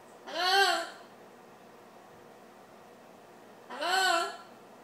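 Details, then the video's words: A talking Amazon parrot, prompted with "hello" and singing "Old MacDonald had a farm, E-I-E-I-O," gives two drawn-out, arching, voice-like notes about three seconds apart, rising then falling like a sung phrase, with quiet room hiss. "Amazon parrot sings "ohh McDonald s had farm ""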